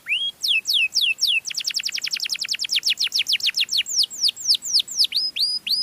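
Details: Melodious canary singing to lure other canaries: a few looping whistles, then a long rapid trill of descending strokes that breaks into slower curved, sweeping notes toward the end.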